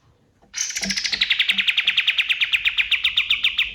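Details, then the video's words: Male white-eye (kapas tembak) at dawn, a wild forest voice for tutoring competition birds: a piercing trill of about twenty-five quick notes that starts high and drifts lower, with soft low knocks beneath. "SUARA KAPAS TEMBAK SUBUH"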